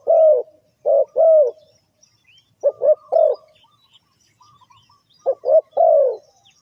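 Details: Spotted dove calling as a trapping lure: three groups of mellow cooing notes, each a short coo or two followed by a longer falling coo, separated by pauses of a second or more.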